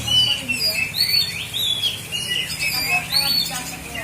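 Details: Oriental magpie-robin, a hobby songbird from Aceh Selatan, Indonesia, pours out loud, clear whistles and quick sweeping notes in dense succession, with faint voices at the start.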